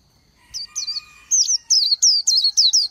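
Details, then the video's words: A short burst from a wild Oriental white-eye: about eight clear, high, twisting whistled notes that grow louder, coming quickly one after another over two and a half seconds. "Chim hót hay Vành Khuyên họng vàng đông dương | นกแว่นตาขาวสีทอง| Oriental White-eye"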